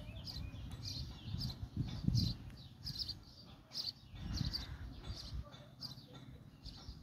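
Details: Adult sparrows feeding a baby sparrow; short high chirps repeat roughly every half second over a steady low rumble of background noise.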